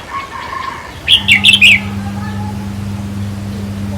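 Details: Red-whiskered bulbul singing, played to rouse caged birds at a trap cage: a single quick phrase of four bright chattering notes, preceded by faint softer notes, over a steady electrical hum.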